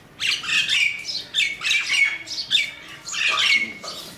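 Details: Crows giving harsh, rasping squawks in quick, overlapping bursts, about seven in four seconds, loud and close, with no other clear sounds.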